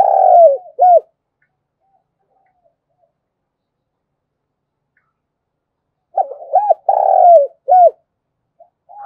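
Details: Spotted dove kept as a decoy to call wild birds, heard at the end of one coo phrase, then about five seconds of silence before a complete phrase of short stuttered notes, a long falling coo and a clipped final note.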